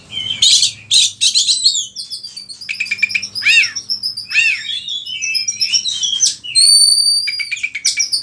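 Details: Oriental magpie-robin in vigorous song, used as a master recording for other birds: fast, varied chattering trills, downward-swept notes and long, pure, high whistles near the end.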